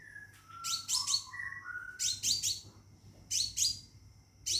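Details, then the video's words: Scarlet minivet kept in a cage, calling a female to mate: clusters of piercing downslurred chirps. A lower, smooth whistled phrase runs through the first second and a half, and a faint steady tone continues throughout. "Burung Seppah Raja Gacor Di Dalam Sangkar panggil betin kawin"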